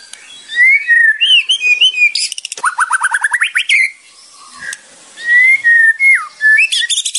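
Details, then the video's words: White-rumped shama song used as a training recording for other shamas, with rich, varied whistles around two seconds in, then a fast run of rising notes and a burst of harsh rattling chatter. "MURAI BATU / WHITE RUMPED SHAMA SONG"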